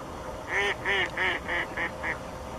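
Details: Wild mallards on a lake: six loud, nasal quacks in an even series about one every third of a second, gradually softening toward the end, over a faint background hiss.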